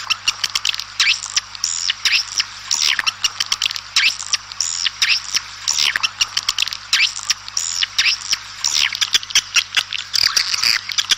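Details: Outdoor swiftlet calls meant to gather the flock: sweeping chirps that dip down and rise again, in irregular bursts of chattering twitters with scattered dry clicks between them.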